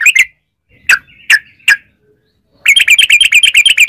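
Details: Yellow-vented bulbul chirping, from a long 'ropel' song used to lure other bulbuls into singing. A couple of notes, three spaced calls, a silence, then a rapid chattering burst.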